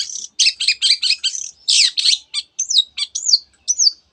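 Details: Long-tailed shrike singing a dense medley that includes canary phrases: fast high trilled chips in a quick series, then a broad buzzy note, a few separate clicks and slurred whistles that rise and fall.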